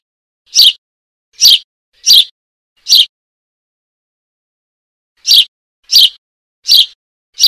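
A young Eurasian tree sparrow gives short, harsh, high chirps, four in quick succession, a pause, then four more, calling for its parent.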